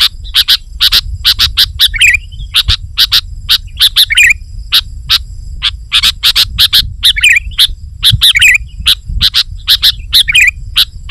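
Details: Sooty-headed bulbul singing vigorously, a recording used to lure wild bulbuls and press rivals: sharp chirps repeated in quick bursts, mixed with short bubbly whistled phrases, over a low steady hum.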